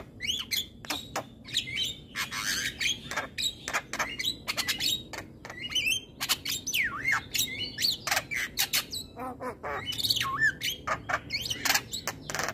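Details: Javan myna morning song: a dense run of harsh squawks, sharp chirps and rising and falling whistled notes, packed closely together with brief gaps, loud and continuous throughout.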